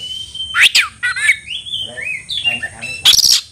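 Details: Kacer, or Oriental magpie-robin, calling out a rival to fight: clear whistled notes, a short rising slur, a harsh rasping burst, then scattered whistles ending in a loud buzzy note.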